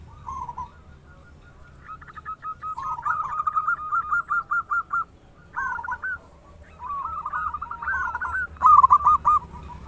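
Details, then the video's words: Local zebra dove in active song with a large voice, used to spur other doves into singing. Many rapid cooing phrases follow one another, some even strings of notes, others rolling bursts, ending in a loud final trill. "Perkutut lokal gacor suara besar - PANCINGAN ANDALAN merangsang cepat bunyi gacor"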